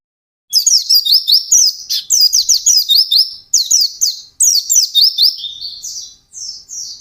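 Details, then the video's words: White-eye singing intensely in fast 'ngalas' style: loud, rapid runs of high, downslurred whistled notes in quick chattering phrases, each a second or two long, separated by brief breaks. "SUARA BURUNG PLECI GACOR NGALAS CEPAT"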